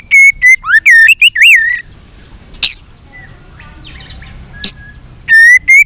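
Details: A white-rumped shama sings an intense, many-voiced fighting song while flicking its tail. It starts with rapid whistled and warbling notes, goes quiet with a couple of sharp clicks, then resumes with bright whistles.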